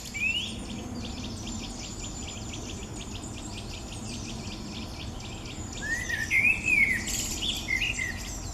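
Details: A common blackbird gives low, deep, mellow fluted phrases near the end, after a steady run of fast, dry ticking from another bird or insect; blackbird song.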